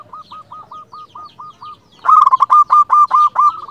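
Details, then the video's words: Local zebra dove in full song, used as a lure to make other zebra doves answer: a soft run of about nine short clipped cooing notes, then a louder rapid burst of rolling, throaty coos. "Perkutut lokal gacor RAJA PIKAT ini ahlinya bikin semua burung perkutut gacor NYAUT"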